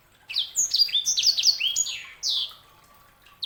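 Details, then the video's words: Canary hybrid called sanger singing a dense, fast sequence of high, falling whistles that ends in a longer slurred note, followed by a brief new phrase. "KICAUAN SANGER"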